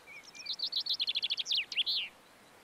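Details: Common chaffinch singing in the Montes de León, Spain, in March 2022: a loud two-second phrase of rapid repeated notes that speed up into a rattling descending trill and end in a flourish, with two soft introductory notes before it.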